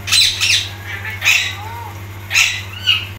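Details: A pet parrot talking in Hindi, with phrases like "beta kaise ho" and "roti khani hai", gives harsh, raspy speech-like squawks in four bursts over three seconds, with a steady low hum underneath.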